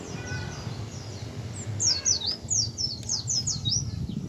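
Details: Oriental white-eye singing ngecal and practising ngalas, a lure so other white-eyes open their beaks and sing; a fast run of thin, high falling notes in close succession, fairly quiet, over steady low-pitched background noise.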